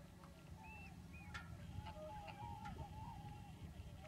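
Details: Flock of migrating common cranes at Lac du Der in February 2011, during a huge wave that left Spain after bad weather over the Pyrenees: overlapping rolling, trumpeting calls, several each second at varied pitch, over a steady low rumble of wind or distant noise.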